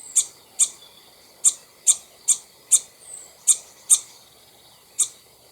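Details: ['Common starling alarm call from a treetop near its nest, one of two birds, just before a raptor attack: sharp, very high clicking notes repeated about every half second in an uneven series.']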